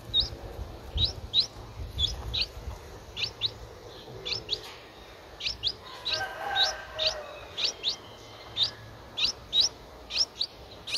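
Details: A 9-day-old Streak-eared Bulbul nestling, whose eyes opened at 7 days, gives thin, high chirps about twice a second, with faint low rumbling behind; Ubon Ratchathani, Thailand, 11 April 2023.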